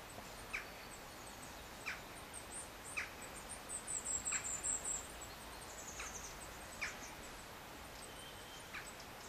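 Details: Firecrest at Far Pasture; a brief run of very high, thin, needle-like notes midway, while sharp clicking sounds recur about every second or two against faint background hiss.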